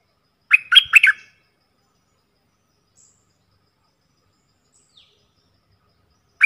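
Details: Bulbuls used as decoys, four birds, calling from the wild; a loud cluster of three harsh, chattering buzzy notes, then long silence and one more note at the end.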